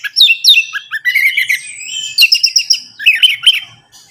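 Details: Orange-headed thrush, a captive bird, song played to stimulate another caged bird to sing: varied whistled and warbled phrases swooping between mid and high pitch, with quick rattling notes near the end.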